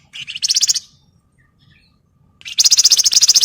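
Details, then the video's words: Flamboyan singing as a tutor for other birds: a fast, buzzy, high-pitched chatter lasting under a second, a pause of nearly two seconds, then a longer rapid trill of bright repeated chips. "FLAMBOYAN GACOR NYIUL BENING DAN MERDU COCOK BUAT MASTERAN DAN PANCINGAN"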